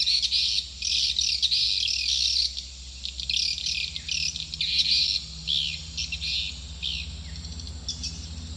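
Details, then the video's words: Swiftlet call to bring birds into a nesting building: rapid high twittering in pulsing bursts that fade toward the end, with a steady low hum beneath. "Suara panggill burung walaet"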